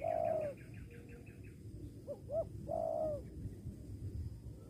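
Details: Spotted dove calling in a bird-luring setting: a drawn-out falling coo opens, then after a pause two short upswept notes lead into another long, gently descending coo, with low rumbling noise underneath.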